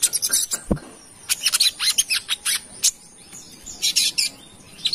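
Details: Lively song of a brown-throated sunbird from Kalimantan, used as a lure: dense clusters of sharp, high, clicking chirps delivered in rapid irregular bursts.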